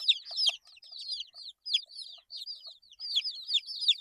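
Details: Short burst of eight-day-old chicks cheeping: clear high peeps sliding downward, given in quick clusters with small gaps between.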